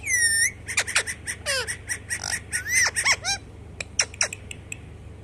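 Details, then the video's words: Pet parrot producing a fast jumble of whistled notes, sweeping slides and short squeaky squawks, some rising and falling sharply, over a steady low hum. "parrot 🦜 talking"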